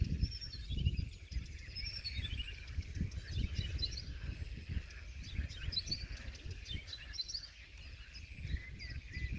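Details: Blyth's reed warbler in song at Millingerwaard, 1 June 2020, giving varied high twittering phrases with rising and falling whistled slurs, over a constant deep background roar.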